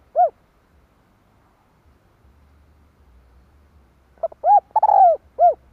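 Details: Decoy spotted dove, 2023, cooing to lure wild birds. A lone rounded note, a pause of about four seconds with faint low hum, then one full phrase of short notes, a long falling coo and a final note.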